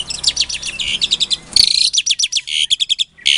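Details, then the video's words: Asian pied starling bred in captivity in Klaten, Indonesia, its song used to provoke silent starlings into answering: rapid series of harsh, buzzy notes and scratchy chatter, pulsing several times per second with a brief pause near the end. "Suara Jalak Suren Pancingan, Jalak Macet Pasti Jadi Emosi Langsung Nyaut"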